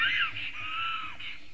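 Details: Black stork (Ciconia nigra) at its nest, filmed by a webcam in Latvia on 12 April 2018, gives a hoarse, wheezy, drawn-out call of about 1.5 seconds, dipping slightly in pitch, over a faint low hum.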